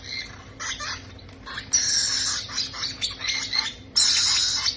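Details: Young parrots being fed make rough, grating squawks that start softly and choppy, then turn into sustained loud harsh rasps near the end, with a constant low background hum.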